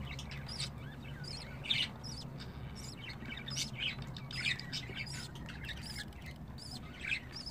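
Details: Young budgerigars keep up a busy stream of quick, high, scratchy chirps and squeaks, several overlapping, above a constant low rumble.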